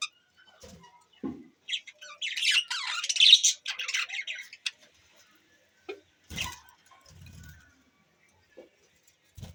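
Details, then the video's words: Pet budgerigars on 25 December 2023: a short burst of scratchy warbling chatter amid sparse, isolated clicks and chirps in an otherwise quiet room. "chirping sound budgies birds"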